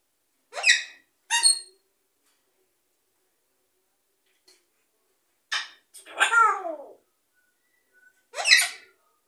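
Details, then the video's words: A rescued African grey parrot sings a mimicked tune, "Mah Nà Mah Nà", in five short bursts; the phrases are squeaky, voice-like and swoop up and down, with quiet pauses between them. "Parrot sings Manamana"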